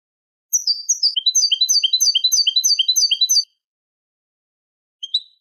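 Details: Goldfinch song from a Malaga copla tutor tape, Manolo style, for teaching goldfinch and hybrid chicks: a three-second run of rapid, regular tinkling chirps at a steady fast pace, followed after a pause by one short sharp note.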